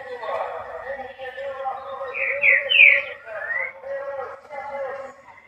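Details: An ultramarine grosbeak gives a short phrase of clear, sliding whistles, some rising and some falling, over a steady background hum; the song is used to stimulate other males to sing.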